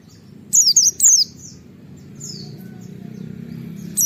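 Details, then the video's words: Wild white-eye's 'wit-wit' lure call: a brief cluster of three or four high, sharp slurred whistles, a faint softer note, and low background rumble. "Suara Burung Pleci ngalas Nembak Wit Wit memancing Semua Pleci ikut Nembak Buka Paruh"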